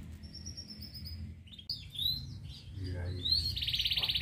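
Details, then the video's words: Local canary singing, a mix of high chirps, rising whistled notes and a rapid buzzy trill near the end, with a low background hum. "KENARI LOKAL | KICAUAN KENARI"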